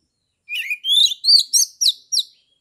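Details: Oriental magpie-robin singing the open 'ngeplong' song, a caged bird from Kebumen, Central Java, used to provoke other magpie-robins: six bright, buzzy whistled phrases, the later ones shorter and sharply descending.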